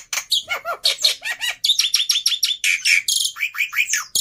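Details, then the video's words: Worked-up fighter Black-winged myna recorded as tutor audio for silent starlings, delivering tumbling mid-pitched warbles that climb into shrill rasping chatter and wavering whistles. "Burung Jalak Putih fighter Emosi Nya kelewatan || Cocok Untuk Masteran Jalak Bisu"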